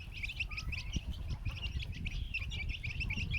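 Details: Chicks calling happily after finding worms; rapid, bright, high cheeps from many birds overlapping without pause, over a low rumbling background.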